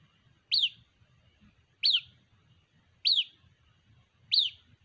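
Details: A white-breasted waterhen chick calls for its mother with four loud, piercing chirps that peak then slide down, spaced about 1.3 seconds apart, with faint low background noise.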